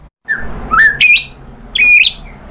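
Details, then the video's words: White-rumped shama singing to provoke other birds: a short phrase of rising whistled slurs, a clear upward sweep followed by a strong steady whistle, then a second loud whistled note after a pause. "PANCINGAN MURAI BATU GACOR bikin EMOSI jadi NYAUT BONGKAR MATERI ISIAN ¦ SHAMA BIRD"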